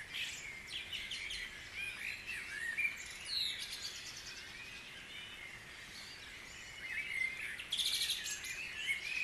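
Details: Guisborough dawn chorus with many birds singing: irregular bouts of high chattering and trills rise and fade, interleaved with softer whistled phrases throughout the recording.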